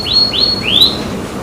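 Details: Canary cared for by its keeper: three upward-sliding thin whistles in quick succession against faint background hiss.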